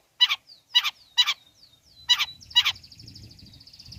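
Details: Long-tailed shrike song to provoke other shrikes: repeated harsh rasping notes about every half second, linked by thin falling whistles, ending in a long buzzy trill over low background rumble.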